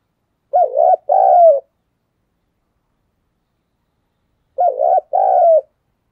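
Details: Spotted dove cooing to stimulate other doves to coo, giving two identical phrases about four seconds apart, each a quick tremulous note then a longer, softly descending coo; otherwise silent.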